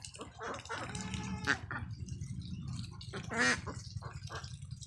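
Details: Ducklings on a farm field, two drawn-out, raspy quacks about two seconds apart among softer scattered calls, over a low humming background.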